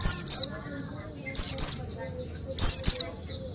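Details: Oriental white-eye singing energetically, three bursts of two piercing high notes each dropping sharply in pitch, separated by brief quiet with only faint lower chirps.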